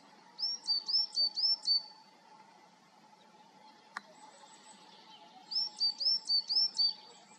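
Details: Coal tit calling in Serra da Groba, Galicia, in coniferous woods: two bursts of high, whistled two-note 'tit-tuii' phrases, about five quick repeats in each, with a pause between them. A steady low hum and one sharp click are also heard.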